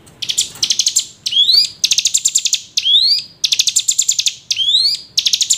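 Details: A hill prinia calls as a lure meant to stir idle prinias to sing: repeated phrases pair a quick rattle-like string of bright chips with a rising whistled slur, looping about every second.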